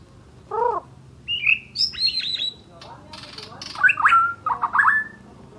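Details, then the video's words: Asian brown flycatcher in full song, mixing a low buzzy note, higher thin whistled slurs, sharp clicks and then a run of fast twisting warbles that dip and rise. "Burung mure bordan gacor"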